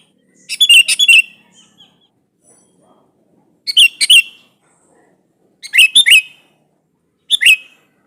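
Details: Sooty-headed bulbul song meant to provoke a rival's reply: four bubbly, slightly slurred phrases of several quick notes, each separated by about two seconds of near silence.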